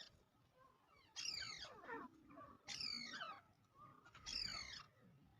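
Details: Three harsh, descending screeching calls from a partridge, about one and a half seconds apart, over low background noise.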